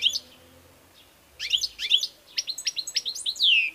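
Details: European goldfinch, kept bird, singing: tinkling chirps, then a quick string of sharp ticking notes closing with a drawn-out descending buzzy note, faint hum underneath.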